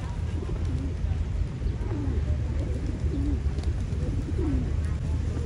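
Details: Several pigeons on river bank cliffs give soft, low, wavering coos about once a second, overlapping one another above a steady low rumble of wind or water.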